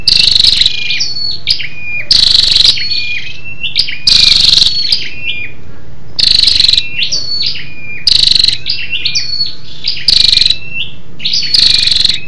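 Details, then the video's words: Scarlet-backed flowerpecker female giving a lure call meant to excite males: a repeated cycle of loud, harsh, rapidly ticking bursts, about one every two seconds, with high thin chips and short whistles in between. "SÂU ĐẦU ĐỎ MÁI RO KÍCH TRỐNG- Giọng MỒI HAY"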